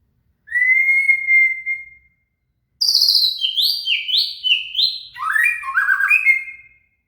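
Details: Shama (murai) singing as song material for training a cililin: one clear sustained whistle, a pause, then a fast run of high buzzy notes stepping downward in a tumbling cascade that ends on a bright whistle.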